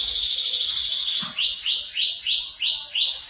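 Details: Canary in full song, used as a master tutor for training magpie robins to sing: a fast high trill, then a run of six rising-falling swept notes repeated about every half second, all high-pitched and clear.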